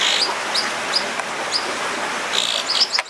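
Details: American dipper chicks, 2-3 days old and fed by both parents, give thin, high, upslurred chirps, about two a second, over a steady hiss of rushing water.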